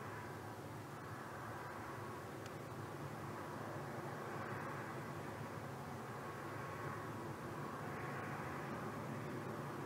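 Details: An even, droning rumble like an aircraft or vehicle continues throughout, with no animal sounds.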